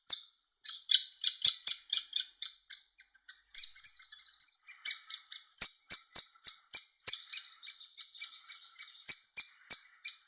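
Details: Hungry woodpecker chick begging while being fed by the male: very high, thin squeaky notes in rapid runs, several per second, with a short pause midway before the insistent calling resumes.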